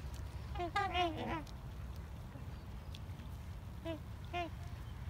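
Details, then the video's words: Trumpeter swans in a heated exchange, possibly fighting, give loud, nasal, honking calls: a cluster of several overlapping notes, then two lone honks, over a steady low rumble. "Trumpeter Swans are having a heated discussion"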